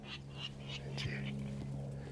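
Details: Virginia Rail in a marshy lakeside area in Arizona gives harsh, pig-like grunting notes, about three per second, over a steady low hum.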